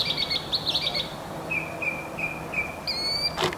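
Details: Northern mockingbird resident in a backyard Palo Verde tree, singing day and night and switching phrases: rapid buzzy chatter, then a series of short flat whistled notes, ending with a high clear note and a brief noise.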